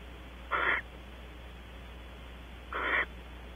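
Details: Strange whistles from barn owls at Audubon Starr Ranch in California: two brief, rough, hissy-toned notes about two seconds apart, each lasting roughly a quarter second, over a quiet low hum.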